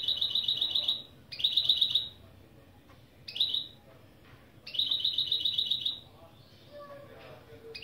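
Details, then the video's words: Goldfinch × canary mule singing its opening phrases, with named local styles such as piçüvi piçüvi, cibili cibili and pli pli pliy: four rapid, metallic high trills of about one second each, separated by short pauses, with a softer call near the end. "Saka Melezi Ön Çıkışlar"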